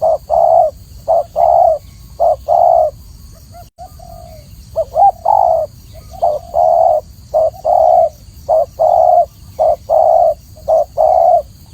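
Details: Extended spotted dove cooing, paired short and long coos repeated rapidly and evenly, interrupted once by a brief pause with wavering notes, over a soft background hum.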